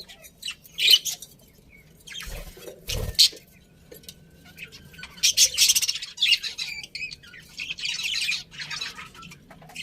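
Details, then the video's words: Happy budgies in a colony give scattered bright chirps and scratchy chatter in short clusters, with a couple of low knocks and quiet gaps between the outbursts. "Happy Budgies Chirping Sounds"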